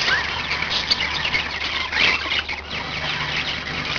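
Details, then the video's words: Five household budgies producing a running stream of raspy chirps, squeaks and warbled phrases, one burst louder near the middle, over a soft low drone. "Budgie yay !"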